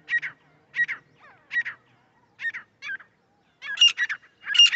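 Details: Grey francolin call used to lure birds into a trap: strident, rapidly repeated notes in uneven bursts, some paired or tripled, building to a louder, more urgent phrase at the end.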